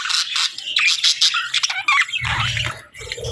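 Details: Budgerigars chirp and warble at feeding time, with quick rising squeaks and squawks for about two seconds, followed by quieter chatter over a low background rumble.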